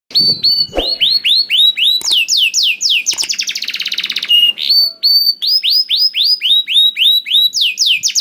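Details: Canary song used to prompt other canaries to sing: bright, rapidly repeated descending whistled notes, a fast buzzy trill in the middle, then steady rising-falling chirps at about four per second.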